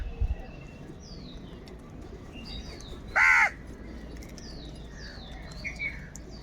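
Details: Crow with a single loud, rasping caw in the middle, set against softer high chirps and whistles from other birds and a low constant background hum.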